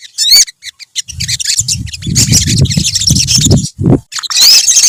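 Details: Group of olive-backed sunbirds singing, high sharp chirps and twittering trills with a bright whistled slur at the start and end, partly overlaid by low rumbling thumps and noise in the middle.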